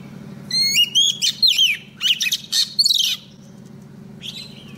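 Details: Decoy female Oriental magpie-robin singing to summon a male for trapping; a burst of about three seconds of clear, warbled whistles rising and falling, then hum and one faint late note.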